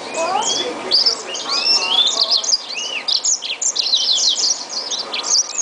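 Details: Green singer singing alongside a yellow canary (2011 mule pairing): fast, high, twittering song of sweet whistled slurs, trills and buzzy notes without pause; a second bird may be singing along.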